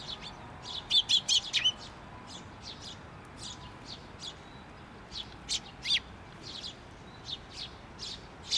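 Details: Nestling on a post at a Tenmangu shrine, 16 May 2023, parent returning: an opening flurry of loud high chirps, then steadier thin chip notes repeated about twice a second.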